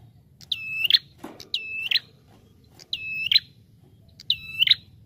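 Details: Lure recording of a Bar-winged prinia, four ringing notes about 1.3 seconds apart, each a held nasal tone ending in a rising flick, with a short click after the first and a low background hum.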